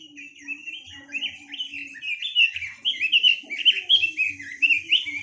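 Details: Chinese hwamei singing a continuous string of loud, clear whistled phrases, each note slurred up and down, building in strength, with a soft steady lower tone underneath and faint low thumps.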